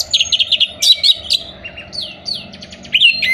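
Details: Orange-headed thrush song for encouraging moulting, non-singing birds: fast chattering notes, descending whistled slurs and short trills run together, with a low hum underneath.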